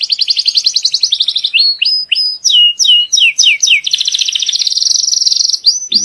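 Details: Belgian canary song for tutoring young birds and preparing the female to breed: fast rolled trill, clipped descending whistles repeated in runs, another long buzzy trill, closing with a downslurred note.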